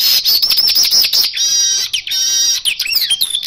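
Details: Asian golden weaver lure song, dense and continuous: a high sizzling buzz with rapid chattering pulses, a few rising whistles and scratchy notes throughout.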